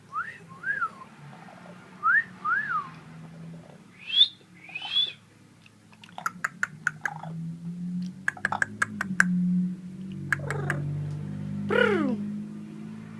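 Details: Pet talking parrot indoors in a small room: several short rise-and-fall chirped whistles in pairs, then clicks and rougher voice-like sounds, with people speaking softly and coaxing it with "pretty bird" and "hi"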